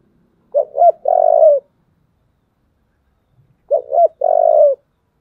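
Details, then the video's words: Spotted dove in the 'giọng thổ' voice giving its fighting call: two brief upswept notes and a long even coo, the three-part phrase heard twice about three seconds apart, otherwise silent. "cu gáy giọng thổ, thúc đấu"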